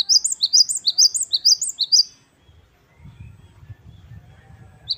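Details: Great tit, called gelatik batu wingko, singing the wucit wucit kristal style: quick high two-note phrases, sharp rising then falling, repeated for about two seconds, then near silence with a low rumble and one last note.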